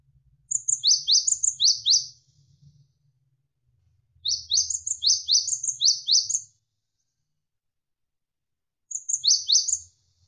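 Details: Javan sparrow (gelatik wingko) in a tutor recording for contest or home birds, described as rapid and drawn out. Three bursts of quick, high, downward-sweeping chirps run one to two seconds each, with long gaps, over faint running water.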